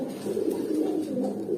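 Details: Brief run of deep, purring coos from young adult domestic pigeons around eight or nine months old, steady and overlapping.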